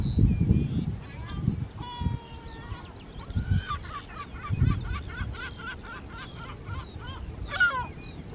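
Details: Lesser black-backed gull pair near a breeding colony, Rottumerplaat, the Netherlands, 3 June 2023: long series of clipped, nasal calls repeated rapidly, ending in a sharp rising yelp, distant colony gulls and gusty wind rumble.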